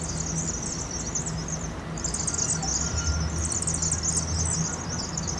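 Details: Vaux's swifts, a migrating fall flock of some 7,000 swifts, roosting at dusk in an Agate Street chimney, University of Oregon, Eugene, Oregon, played 2.5 times fast; dense high chittering twitters in continuous waves, steady low hum beneath.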